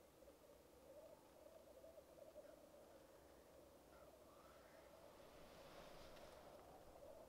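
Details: Low continuous bubbling from black grouse at their lek. Around the fourth second short higher upslurred notes cut in, then a breathy hissing burst follows near the sixth second. Recorded with a Rode Videomic Go.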